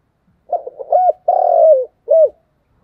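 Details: Spotted dove in continuous cooing: a soft stuttering lead-in, a short coo, a long buzzy falling coo, then a final brief coo, all low and hollow.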